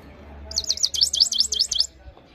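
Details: Himalayan goldfinch giving a brief phrase of rapid, high, buzzy notes that rise and fall in a quick repeated pattern, with faint low background noise.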